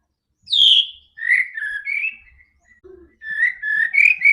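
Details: White-rumped shama song used to make a quiet bird sing: a loud high descending whistle, then mellow slurred notes, a short low note, and a closing series of rising whistles.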